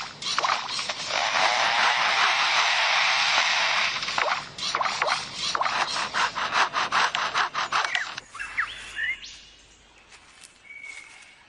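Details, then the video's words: Lyrebird mimics machinery: a steady rasping chainsaw roar, then rhythmic sawing pulses, ending with thin electronic chirps and a high alarm-like whistle, imitating chainsaw, camera and alarm sounds. "Birds making Sound of Chainsaw, Camera and Alarm"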